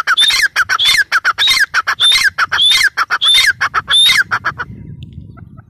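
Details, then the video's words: Repeated call of a grey francolin (teetar): about seven loud rhythmic phrases of harsh grating notes, each with a bright whistled rising element, stopping abruptly, then low background rumble. "Teetar sound | Partridge sound | gray francolin teetar voice"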